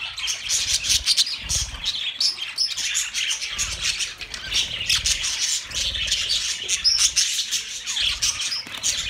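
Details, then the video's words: Flock of pet budgerigars, sounds for lonely birds: loud, busy high chatter of many overlapping chirps and squawks, steady throughout, with soft low thuds at intervals. "Budgie Sounds for lonely Birds"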